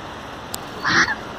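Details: Indian spot-billed duck at Lalbagh Lake, Bangalore, gives a single short, harsh nasal quack lasting about a quarter second, over faint background hiss.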